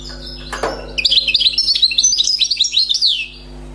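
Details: Wild European goldfinch, freshly caught, delivers a quick burst of bright twittering, sharp high notes strung closely together and ending in a falling slur; a single thud comes first, with a low background hum throughout.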